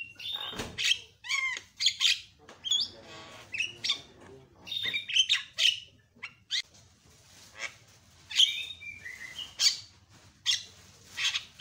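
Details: Javan myna giving loud provoking calls to make other mynas answer: a busy mix of sharp clicks, scratchy chatter and brief bright whistled notes, delivered in uneven rapid bursts throughout.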